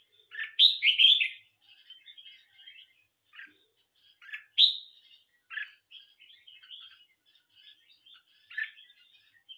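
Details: Caged red-whiskered bulbul in a singing competition: loud, fluty warbled phrases near the start and again around mid-clip, with softer chirping notes between them and quiet gaps. No other sounds stand out.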